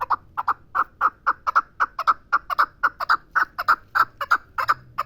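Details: Chukar partridge from the Pamir calling: a loud, steady run of short, clucking chuk notes, often paired, at about three to four notes per second, with a quiet background.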